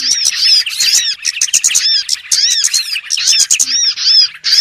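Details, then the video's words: Lure recording of small birds for bird trapping: bursts of shrill chattering and arched, downslurred whistles separated by short lulls, several birds calling together. "SUARA PIKAT BURUNG BURCIL"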